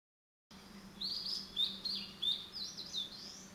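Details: A male blue-and-white flycatcher sings actively, giving a run of high, sweet whistled phrases with quick slurred notes over a faint low hum.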